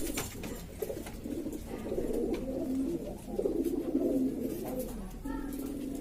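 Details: A flock of Lombok domestic pigeons, native to East Lombok, Indonesia, making a steady murmur of low, throaty coos, some with short rising and falling inflections, over a soft background hum.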